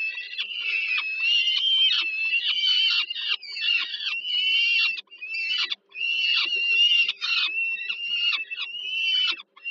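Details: Peregrine falcon young begging while the mother feeds them at an evening meal, Warsaw, Poland, July 2022. Nearly continuous grating, wailing screeches, pulsing in long runs broken by brief pauses.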